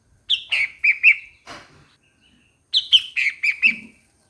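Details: Two lively bulbul phrases of four or five chirpy, downward-slurred notes, separated by a short rustle and a brief pause.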